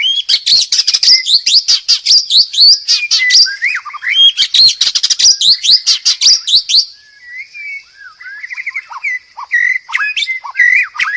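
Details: White-rumped shama giving a strong, chattering murai batu masteran song: a fast torrent of sharp, high notes and buzzy trills, easing into slower, fluty, warbled phrases.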